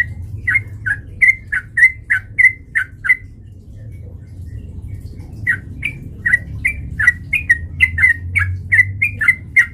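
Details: Sooty-headed bulbul fighting-lure song: two bursts of rapid, bright, slurred whistled notes separated by a short pause, with a low background hum throughout.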